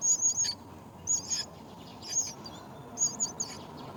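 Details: Myna birds looking after young at their nest: a few high, thin whistled chirps in small groups of two or three, separated by pauses of about a second, over quiet background noise.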